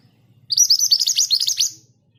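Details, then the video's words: Scarlet minivet singing its 'ngerol' rolling song: a dense, fast trill-like run of high chirped notes lasting over a second, with a faint low rumble in the background. "Burung ini mudah bunyi bahkan diombyokan! Suara ngerol dengan speed yang pas. MANTENAN GACOR"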